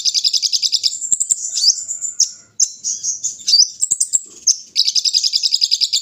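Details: Olive-backed sunbird (kolibri ninja), a kept bird set out in morning dew: rapid high twittering in thin, buzzy trills, with sliding whistled notes mid-phrase and a dense chattering burst to finish.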